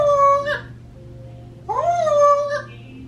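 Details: Imitating electronic beeps, a 26-year-old African grey or a 16-year-old Quaker parrot, left alone indoors, gives two pure, steady tones rich in overtones. The second opens with a rising slide, and a brief quiet gap separates the two.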